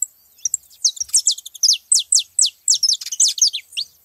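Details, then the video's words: At a feeding spot where saffron finches gather, a lively sequence of sharp, downward-sweeping high notes follows in steady quick succession, with faint chirps from other birds underneath. "festa dos canário da terra na seva"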